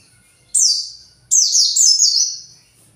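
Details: Agitated captive white-eye looking for its flock: a short high descending chirp, then a longer burst of rapid stepped downward buzzy notes after a brief pause; little else heard.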